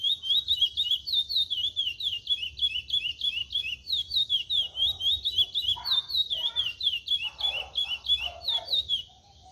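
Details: A Chestnut-bellied Seed Finch sings a 'cascatinha'-style song, a fast, continuous run of sweet, high whistled notes, several per second. Brief rustling thuds break in midway.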